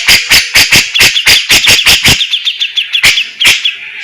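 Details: Grey-cheeked bulbul in vigorous song with the song style called tembakan and besetan, sung fast and dense: a run of harsh, buzzy, clipped notes, about five per second, then scattered chirps and two late sharp notes.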